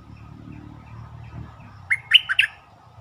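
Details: Bulbul song used to stir up birds, a fine singing style: a low background rumble, then near the end a lively phrase of four bubbly, warbled whistles.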